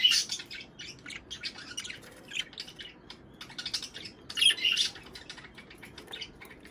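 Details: Budgerigar warbling used to stimulate mating, a run of short high chirps and scratchy notes in uneven clusters, with a louder squawking burst near the end of the stretch and quieter gaps between.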